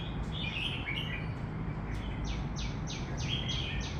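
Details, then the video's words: Birds singing outdoors in the morning in summer: high chirps and twittering notes, then a run of five quick, sharply falling whistled sweeps repeated about every half second, over a steady low rumble of background noise. "Singing Birds"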